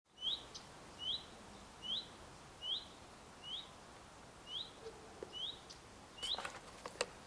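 A common redstart gives a clear, upslurred whistle, about once every second, eight times. A few clicks and rustles come near the end.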